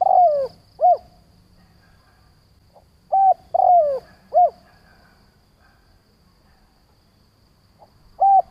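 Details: Spotted dove used as a decoy, calling to stir up wild doves. Mellow cooing phrases, each a long slurred falling coo followed by a brief clipped note, separated by pauses of several seconds, with little background noise.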